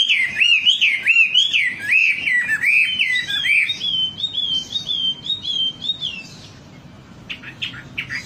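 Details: Wambi lure recording: clear, wavering whistled warble sliding up and down, followed by a thinner, higher rolling trill and a few sharp chips near the end.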